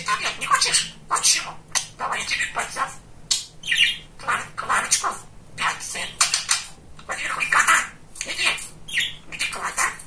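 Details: A very chatty, talkative male pet budgerigar indoors: a steady stream of rapid, buzzy, scratchy chatter in short bursts, with squawky syllables running together almost without pause.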